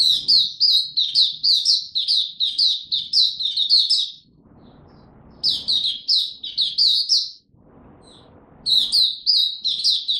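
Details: Caged male white-eye in training, a young bird whose song is maturing, recorded 9 February 2022: rapid bursts of high, sweet chirping notes, about three per second, in phrases of several seconds separated by brief pauses with faint low background noise.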